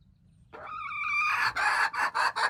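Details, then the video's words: Hen giving a crow, January 21, 2025: a nasal, harmonic rising wail that thickens into a harsh, loud stretch and then splits into quick choppy pulses, with faint low rumble underneath. "hen crowing, poj qaib qua poj qaib seev"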